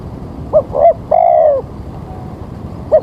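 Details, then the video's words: Spotted dove calling during morning trapping with rain about to fall: two short coos and a drawn-out falling coo, then quiet hiss before the next short note begins. "Mikat Tekukur"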